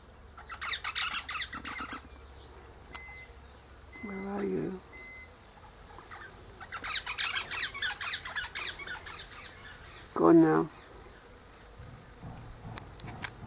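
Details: Eastern Rosella high in a hedge in morning sunshine, with its mate in a nearby pecan tree: several bursts of harsh, rapid chatter, broken by a few thin whistles and some lower muffled sounds.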